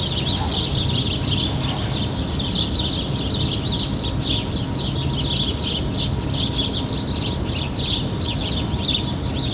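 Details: Many birds near a city, as in a park beside tall buildings, keep up steady high chirps and short twittering notes, layered and unbroken, while low urban rumble and a faint hum fill the background.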